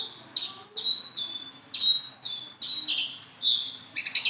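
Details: Tame Sunda bulbul giving repeated short, high whistled phrases roughly twice a second, each a bright rising or falling slur, with soft twittering between them.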